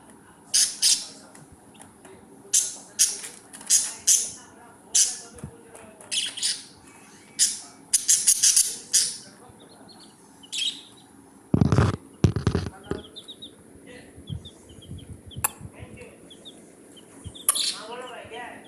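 Budgerigars give bursts of harsh, scratchy chirps and squawks, with a few low thumps midway.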